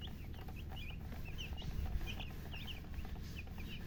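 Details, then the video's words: Just-born chicks peeping: rapid thin high chirps from several birds, scattered and overlapping, against continuous deep background rumble. "Tot Murgi chicks chirping sounds Just Born Baby Gallina FRACAS Chicks Piar Loudly Sound"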